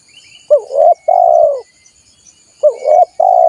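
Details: Wild-dove lure sound of a spotted dove: two phrases about two seconds apart, each beginning with quick rising notes and ending in an extended throaty coo, with a thin high insect drone in the background.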